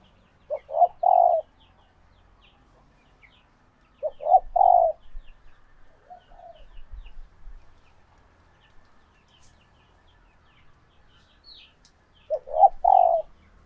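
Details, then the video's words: Female spotted dove in laying condition, recorded to stimulate males into calling for courtship: paired low cooing phrases repeated about every four to five seconds, with faint softer notes between and a distant high chirp. "Tiếng Chim Cu Gáy Mái Chuẩn Kích Trống"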